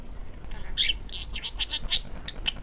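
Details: Pet male parakeet speaking in a quick, babbling burst of high, scratchy syllables, several per second, with short bright squeaks standing out.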